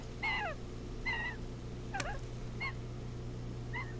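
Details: Osprey at a camera-watched nest giving alarm calls as a great horned owl raids it and takes a second chick, July 12, 2018: brief whistled downslurred cheeps in irregular bursts, one sharp click, constant low hum behind.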